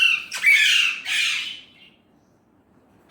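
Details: Indian ringneck parrot, also called an alexandrine parrot in the description, talking in Urdu/Hindi: two loud harsh squawky bursts with strained speech-like tones, then a pause and a short clipped sound at the end.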